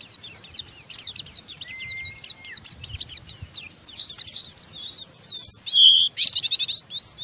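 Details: Rough 'ngeriwik' chatter of an Oriental white-eye, used to stimulate other white-eyes to sing: a rapid run of high, scratchy downslurred chips about two per second, a brief steady whistle-like tone midway, ending in louder buzzy notes.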